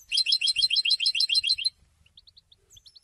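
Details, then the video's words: Goldfinch song meant to announce presence and attract females: a quick, even trill of bright repeated notes for under two seconds, then soft, spaced twitters. "Golden songs for goldfinch voices for education and training"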